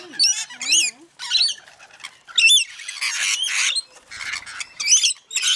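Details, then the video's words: Rainbow lorikeets feeding: sharp zigzag squeaks and shrill chattering notes in quick clusters, alternating with harsher screeches and short silent gaps. "Rainbow Lorikeets feeding"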